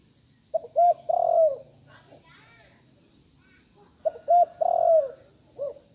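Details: Young spotted dove just learning to call gives two cooing phrases about three seconds apart, each a pair of short coos followed by a long, wavering, downslurred coo and a brief trailing note, with faint high chirps in the background.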